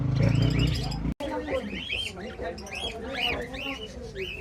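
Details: Cockatiels kept in a pet shop in Islamabad, Pakistan: a burst of loud low noise, then a run of quick arched chirps repeated several times a second amid other caged birds.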